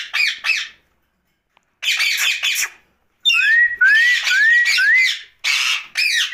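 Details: Ringneck parakeet at night alternates harsh chattering phrases with a series of four bright rising whistles. Silent gaps separate the outbursts.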